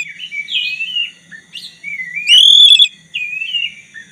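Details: Black-breasted white-rumped shama singing to prompt a rival to join in: wavering whistled phrases, a loud upsweeping note with brief rattling, then more sliding melodious whistles over a faint low hum.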